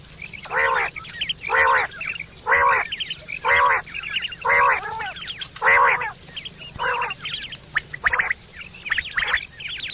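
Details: Quail recorded in September 2023, a sound used for hunting and mating: nasal, harmonic-rich calls repeated roughly once a second in a steady series, with softer chattering notes between them.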